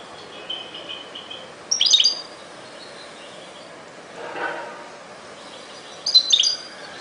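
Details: Brief high twittering bursts of a European goldfinch in 2021, two sharp jingling phrases a few seconds apart, with a soft lower rushing sound between them and constant background noise.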